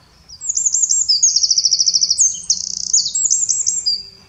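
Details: A Eurasian wren in the Eifel, Germany, sings a loud, high, rapid song of sharp notes and fast trills that runs without pause for about four seconds.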